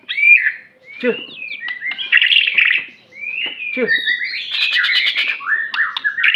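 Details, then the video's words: White-rumped shama, Aceh variety, singing showy mimicry-filled phrases: clear rising whistles, scratchy warbled bursts separated by short pauses, and a rapid zigzag of chirps at the end. "murai batu aceh,isian mewah gaya mantap"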